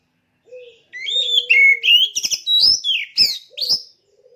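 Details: Caged oriental magpie-robin, kept for song contests, pours out a varied run of rich whistles, slurred upward and downward notes and sharp clicks, following a long low steady tone at the start.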